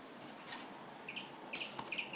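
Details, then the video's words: Common linnet at El Verdum de Torrefarrera giving a brief, fast twitter of high, chirpy notes in two quick bursts over a soft hiss of background noise. "Pardillo pegando !!!"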